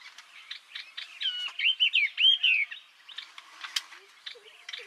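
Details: Yellow-eyed babbler, a resident of Vietnamese bamboo forest and scrub, singing a burst of loud, looping whistled phrases among rapid quieter chirps, followed by a run of thin ticking notes and a few faint low calls.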